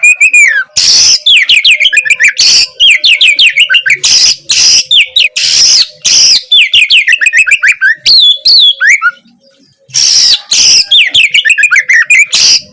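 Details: Vigorous song of an Oriental magpie-robin, meant to stir a silent bird into answering: rapid runs of bright descending whistles alternating with repeated loud harsh buzzy blasts, nearly continuous, one brief gap near the end.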